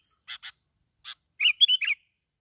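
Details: Bulbul recorded in Bình Thuận, Vietnam, and used as a lure: a few short, dry clicks, then a quick run of bright warbled notes.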